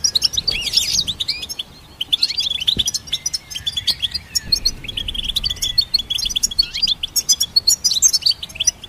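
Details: Long goldfinch performance of dense, scratchy high twittering and chirps in busy bursts, a short lull after the opening, then continuous rapid notes to the close.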